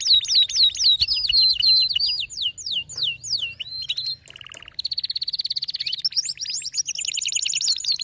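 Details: Canary in a fierce, agitated song bout: sweeping whistled slurs repeated rapidly, a short lower buzzy trill near the middle, then a fast rattling trill and more high swooping notes.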